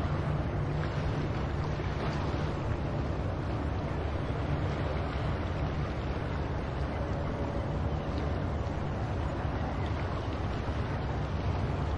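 Steady wind rumble and surf wash at the shore, with boat-like low droning and no clear animal calls.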